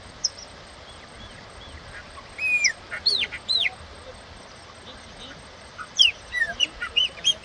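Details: A wild chopi blackbird sings in two bursts of liquid whistles, some arching and some falling steeply, separated by a quiet pause.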